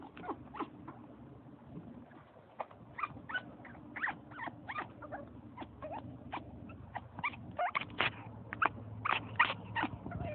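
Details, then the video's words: Bo, an African Grey parrot in Alaska, imitates a puppy to wake its owner, giving quick, high squeaks and yips in uneven bursts, sometimes several a second, over a steady low hum. "Parrot making puppy sounds"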